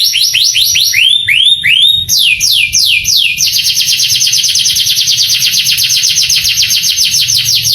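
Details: Male canary singing a long, varied tutor song to provoke young canaries: looping high phrases, a few slower drooping whistles, then a steady, fast rattle of repeated chirps.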